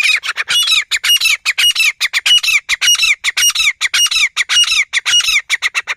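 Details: Black francolin giving a loud, rapid, grating call: harsh squawking notes repeated almost two per second without pause, mostly high-pitched with a few short whistled accents, with no other clear sounds.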